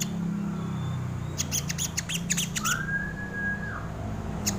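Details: Crimson sunbird lure recording for training birds: a quick run of sharp ticking chips, then a thin drawn-out even whistle, one last chip closing, all over a steady low droning hum.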